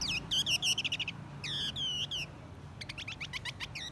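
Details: Blue-winged minla, male and female, singing as a lure: bursts of bright, slurred whistles with looping down-up notes, repeated quickly in short phrases, then a faster run of sharp chirps; a low hum underneath.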